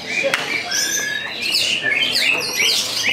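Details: White-rumped shama, a caged contest bird just after moult, singing on the hanging pole at a bird contest where it took second place; rapid, varied whistled notes and quick sweeping slurs tumble one after another, with background chatter and other birds.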